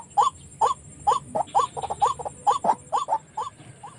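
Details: White-breasted waterhen calls used as a lure to trap birds near village houses: a steady run of hooked, rising nasal notes, about three per second, with a faint high hum behind.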